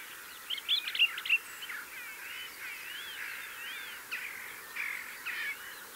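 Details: Mistle thrush (Turdus viscivorus) singing from a gorse bush near a blue tit and a yellowhammer: short, varied fluty phrases with rising and falling whistled slurs, separated by brief pauses, over steady outdoor background noise.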